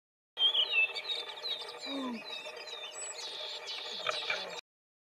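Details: Willow tit (Poecile montanus), a Eurasian conifer-forest tit, gives thin, high notes and buzzy calls in a busy run of overlapping chirps; brief low, curving sounds also come through.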